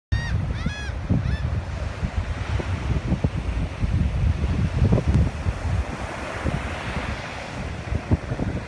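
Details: Laughing Gulls at Buxton, Hatteras Island, North Carolina, on 22 May 2016: a few high, nasal calls in the first second and a half, then steady rumbling wind and surf.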